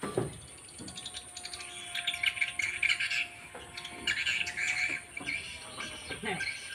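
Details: Edible-nest swiftlets at a four-storey, 12 by 12 swiftlet building in Banyuwangi, East Java: a dense wash of high twittering chirps rising and falling in waves, with a faint steady tone underneath.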